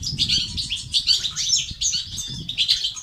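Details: Batbata and sastasat style goldfinch song for encouraging males to sing: a quick stream of high, bright twittering notes, about eighty short phrases a minute, with a faint low flutter beneath.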